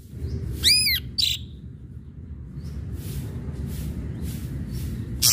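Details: Ashy drongo song played as a lure to provoke other birds into singing: a quick run of arched, squawky notes rich in overtones, a short buzzy note, then fainter notes over a steady low rumble.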